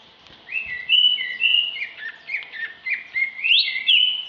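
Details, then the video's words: Female greater green leafbird pouring out a continuous, varied whistled warble, notes sliding up and down between mid and high pitch with little pause, ending on a rising sweep. "kicau Cucak Ijo ( betina )"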